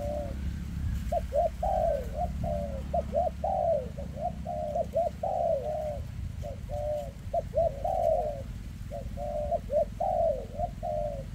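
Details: Spotted dove, a 2024 standout bird with shaky legs, delivering very dense 'kèm rước' cooing: an almost unbroken run of short paired notes and slurred falling coos for eleven seconds above a constant low rumble.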